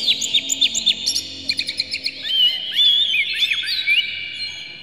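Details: Oriental magpie-robin singing with spread tail, full varied song used to provoke other magpie-robins into singing; high clear whistles, rising and falling slurs, then a rapid run of short chirps and long sweeping notes.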